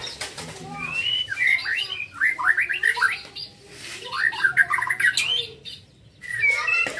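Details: Young white-rumped shama, a contest bird, singing two bursts of rapid warbled whistles and chirps separated by short pauses.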